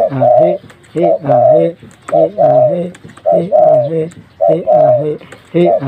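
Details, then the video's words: Spotted dove, a tame and persistent caller, cooing in an indoor room: low, mellow two-part coo phrases repeated roughly once a second, a brief lead note followed by a drawn-out wavering coo. "Tekukur Gacor Jinak"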